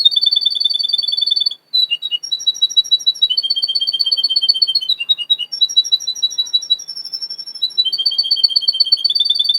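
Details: Male Russian canary used for training, from a breeder in Miami, Florida, delivering a continuous run of fast pulsed trills that shift pitch every second or two, with brief dipping notes between sections.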